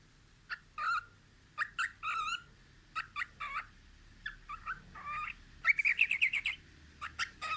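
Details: Pet cockatiel singing while looking out a window: a chain of short chirps and warbled whistled notes near the middle register, with a fast buzzy trill toward the end and brief pauses between phrases.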